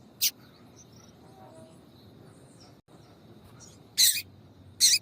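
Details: Female double-collared seedeater call, used to excite males into singing: three short, harsh, hissing chips, widely spaced with a gap of several seconds, plus faint thin whistles between them over low background rumble.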